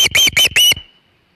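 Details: Osprey at its Hog Island nest with a large shad, late afternoon of 27 August 2019: four quick, shrill whistled yelps in a tight burst, then silence.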